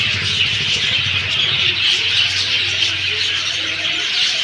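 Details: Dense chorus of many birds chirping together, a steady high twittering wash with quick repeated chirps throughout and a faint low hum underneath.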